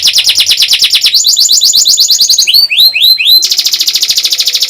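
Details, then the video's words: Young canaries are taught with this canary training song: rapid rolling trills that step up in pitch, a few sweeping upslurred notes, then a long fast even trill to the end. "MASTERAN BURUNG KENARI PAUD & PANCINGAN KENARI SUSAH BUNYI"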